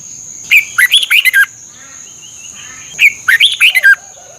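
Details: Red-whiskered bulbul, Thailand, song played to caged birds for training. Two bubbly whistled phrases about two and a half seconds apart, each with rising and falling notes. There is a faint soft whistle between them and a continuous high tone.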